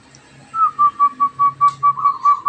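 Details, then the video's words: A wild-caught local zebra dove just starting to sing: a steady run of about ten quick, mellow, evenly spaced cooing notes with faint background murmur. "perkutut lokal alam mulai bunyi"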